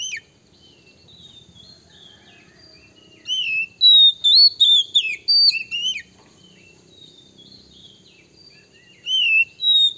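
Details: Oriental magpie-robin male in song used to lure and anger rivals: a dense burst of sweet, warbled whistles and slurred notes for about three seconds, a pause, then a short further run of whistles.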